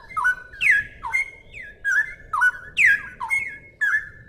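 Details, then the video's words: Loud, rapid whistled phrases from a straw-headed bulbul in 'ropel' style, each a quick downward slur ending in a sustained tone, repeated about twice a second over a low hum; a clear song recording for tutoring other songbirds. "suara burung cucak rowo jernih buat masteran"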